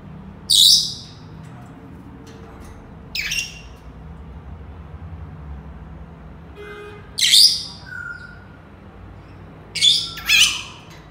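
Senegal parrot giving four loud, harsh, high-pitched squawking bursts a few seconds apart, with a brief thin whistle between them.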